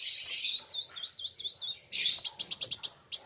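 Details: Kolibri wulung sunbird singing against a rival: a thin high trill, then a run of quick, evenly spaced chip notes that speed into a rapid, dry rattle.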